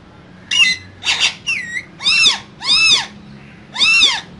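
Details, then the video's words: Two green parrots kept in a cage, chattering to each other: a run of six loud, harsh, rasping squawks with arched tonal overtones, plus one short whistled slide, spaced roughly half a second apart. "Two Green Cute Parrots Talking In Cage"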